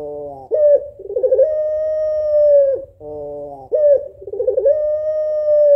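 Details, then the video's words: Calling female African collared dove (puter pelung) summoning a male with a sad call. A nasal, layered note leads into a rolling, stuttered segment, then a long even coo fading at its end. The pattern repeats twice. "SUARA SEDIH BURUNG PUTER PELUNG BETINA MEMANGGIL JANTAN"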